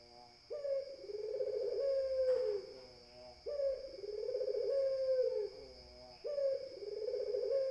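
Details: Spotted dove (puter) cooing: three long, mellow, hollow phrases, each about one and a half seconds, rising slightly then falling, repeated roughly every two and a half seconds over a steady faint electronic hum.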